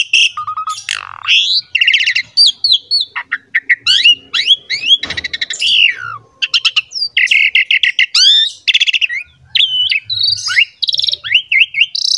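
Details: Asian pied starling in full, nonstop song used as a model for training young and newly acquired birds: a dense medley of sharp whistled slurs, rising and falling notes, buzzy rattles and a harsh burst near five seconds.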